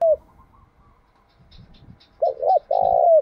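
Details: Spotted dove kept as a decoy to lure wild birds, cooing near the end: two quick low hoots and a drawn-out mellow coo with a downward slur, after a faint earlier coo and soft background rustling.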